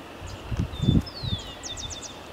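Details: Male rufous-collared sparrow singing in a backyard in Cotacachi, Ecuador, 2018, around dusk, thought to be telling his mate to find a roosting tree: thin high whistles, one slurring down, then about four quick high notes; louder low thumps and rustling.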